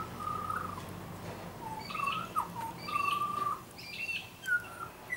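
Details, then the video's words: Tame young butcherbird, a frequent garden visitor, singing drawn-out pure whistles with brief upward and downward flicks between them, loud and clear against low background rumble. "Young Butcher Bird is singing a song"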